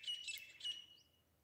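Grey francolin giving two loud, ringing, high-pitched notes about half a second apart, the second trailing off into a thin fading tail.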